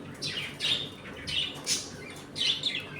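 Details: Budgerigars kept as a home colony, feeding and playing, chatter in a run of short grating chirps and warbled notes about every half second, several birds calling.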